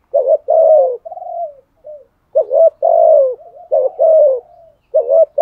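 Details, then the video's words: Fighting coo of a spotted dove, 'thổ' voice style: a busy run of low hooting phrases, short wavering notes and drawn-out falling coos, with softer slurred notes linking them and barely any pause. "Chim cu gáy gù đấu. tiếng chim cu gáy thúc đấu và gù đấu giọng thổ cực hay"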